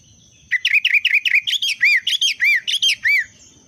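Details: Sooty-headed bulbul in breeding condition pouring out a fast continuous string of about fifteen chirpy, bouncing whistled notes over three seconds, against a thin steady high whine.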